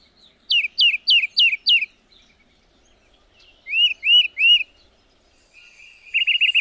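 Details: A tufted titmouse (Baeolophus bicolor) gives five quick, high, downslurred whistles, then three arched notes and a short rapid run at the end.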